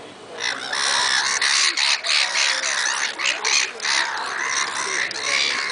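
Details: Two black-headed gulls have a squawking match at Lymington on 26 April 2010, trading harsh, overlapping, grating and rasping squawks in quick, irregular bursts.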